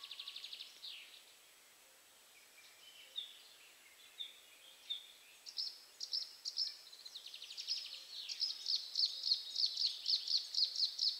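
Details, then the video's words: A bluethroat sings from bushes near 53.43 N, 22.51 E (north-east Poland): varied high chirps, buzzes and twittered phrases building into a fast ringing run of repeated notes; faint background hiss. "Bluethroat / Podróżniczek"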